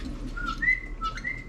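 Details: A large parrot in a Dalaman, Turkey pet shop, housed alongside budgies and finches, gives clear, sustained, flat-pitched whistles with a small upward slide, repeated several times over a second and a half; low background hum throughout.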